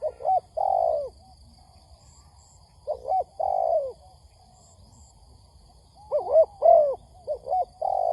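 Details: Spotted dove used as a trapping lure, giving scattered groups of two to four soft coos, some slurred downward, separated by pauses of a second or two, with faint high ticks.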